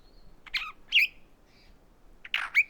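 Galapagos mockingbird giving a few harsh, squawky chirps at about half-second spacing, bright and high-pitched, with a faint background hiss.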